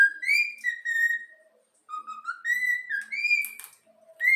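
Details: Pet yellow-cheek cockatiel gives the Flamengo anthem as clean, level whistled notes, each held about half a second, with one silent break and a short noisy flutter near the end.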